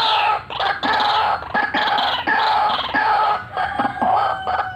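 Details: White-breasted waterhen full cackling and rolling lure call. Harsh squawking phrases, each under a second, follow one another with short gaps in a steady loud series.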